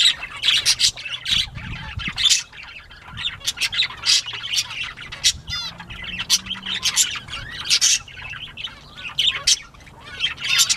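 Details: Bobwhite quail during playtime on 19 April 2017 at 10:13 AM; rapid bursts of shrill squawking and chirping, with brief quiet gaps, and a soft low hum in the background.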